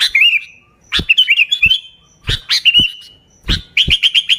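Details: Sooty-headed bulbul lure sound: chirpy bursts with slurred whistles, ending in a quick string of short repeated notes, with occasional dull thumps.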